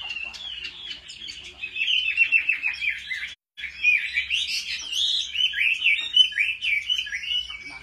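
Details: Chinese hwamei singing competitively in home training: a continuous, rapid jumble of chattering and warbled notes, dense and high, with a brief break midway before the flow resumes, and faint low background noise.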